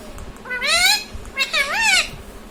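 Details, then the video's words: Pet parrot, said to talk and say mummy papa, gives two loud, voice-like syllables. The first rises and the second bends up and down, like a spoken two-part word. "मम्मी-पापा बोलता तोता || मिट्ठू बडा प्यारा || parrot talking mummy papa"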